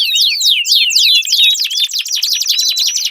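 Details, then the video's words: Canary singing as a prompt for a canary that will not sing: brisk high swooping notes turning into a quick rattling trill, continuous throughout. "Pancingan Ampuh Kenari Gacor Panjang, 4 Suara Burung Kenari Ampuh Untuk Pancingan Kenari Macet Bunyi"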